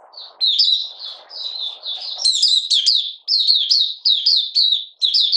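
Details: Caged Malaysian Oriental white-eye in minor moult and out of form, singing its buka sing opening song, 31 July 2023: rapid high twittering phrases of sliding chirps, denser after two seconds, over a soft low murmur early on.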